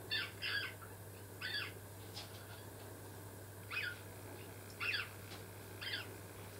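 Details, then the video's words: Flock of rose-ringed parakeets returning in late December after pairs had brought two young in late summer, giving harsh, raspy screeches in short uneven bursts, about six in a few seconds, over a steady low hum. "ワカケホンセイインコ群れ Kind calls a friend"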